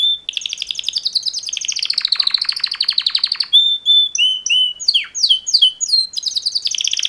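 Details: Canary mating song by two males, a rolling fast trill for over three seconds, then clear whistled slurs and descending sweeps repeated several times.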